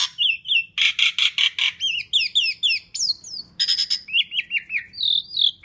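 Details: Asian pied starling in full song for luring other birds, a long medley: pairs of whistles, harsh rasping bursts, rapid series of wavering slurred whistles and a final buzzy note.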